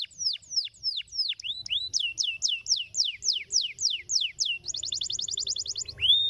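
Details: A canary rolls through slow swooping whistles and a faster run of slurred notes, then a very rapid, high buzzy trill lasting over a second, closing on a single rising note.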